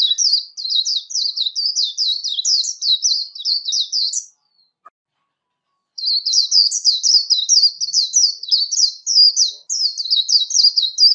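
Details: Warbling white-eye competition song meant for daily voice training, clean of other noise: two long bursts of rapid, high, jumbled twitters with a silent pause of about two seconds between them.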